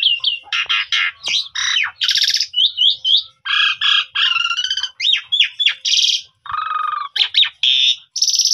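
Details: Pundung-type Asian pied starling lure song, phone-recorded to trigger birds into song: a dense chatter of grating, buzzy notes broken by short rising and falling whistles, delivered nonstop.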